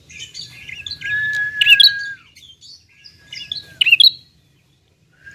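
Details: Young bar-winged prinia: a sustained, even whistle that breaks into quick, twittering high notes, repeated twice with a pause between, over quiet background murmur.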